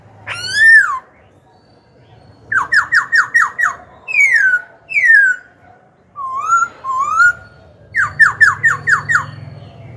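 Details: Caged black-throated laughingthrush song used to stir up rivals and coach young birds. Loud slurred whistles alternate with fast runs of about five quick, clipped notes. Rising and falling phrases are separated by brief pauses, with a low hum behind them.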